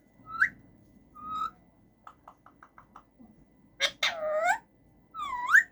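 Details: Caged male rose-ringed parakeet making different sounds: two short rising whistles, a rapid series of six soft ticking notes, then a sharp click and a long harmonic call, ending with a curving whistle.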